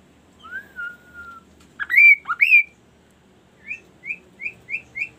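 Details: Kaso kaso bird in varied song used to encourage other birds to call: a long falling whistle, two loud swooping rising phrases, then five short rising chirps repeated about every third of a second.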